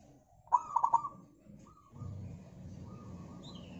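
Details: Local zebra dove lure song for making other birds sing: one phrase of a rising coo and three quick rolled notes, followed by low rumbling background noise.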